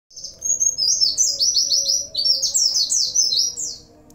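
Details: Oriental white-eye in full song, its 'gacor' delivery filled with Cililin, sambung bren and cigun material: a fast unbroken run of high, thin, downslurred twittering notes, about three per second, over a steady low hum.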